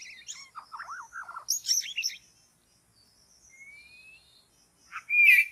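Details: White-rumped shama singing in a forest during bird trapping: a rising whistle and warbled, looping notes, then a long thin rising whistle after a pause and a louder bright burst at the end.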